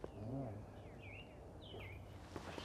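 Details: An American robin near a bluebird nesting site at Cider Mills, Billerica, gives two short, slurred whistled phrases, each rising then falling, about a second apart, over a low rumble of background noise.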